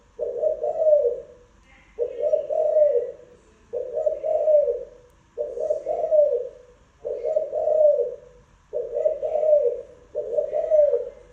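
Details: Spotted dove calling steadily, a low hoarse cooing phrase of about one second repeated roughly every one and a half to two seconds, seven times in a row.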